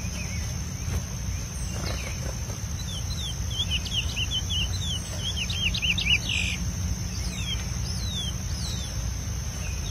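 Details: Preseiro-style song of a wild chestnut-bellied seed finch: rapid, scattered high whistled notes dropping in pitch, delivered in quick bursts above a constant low hum of background noise.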